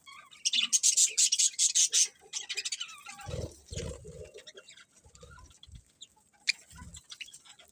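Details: Budgerigars: a fast series of sharp, high chirps repeats about every fifth of a second for roughly two seconds, followed by softer twitters, low thuds and scattered single chirps.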